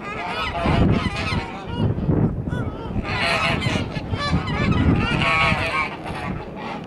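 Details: Loud, harsh honks from a white Kholmogory gander, two years old, on a farm of ancient breeds, with long harmonic calls rising and falling in two main bursts and low rumbling background noise.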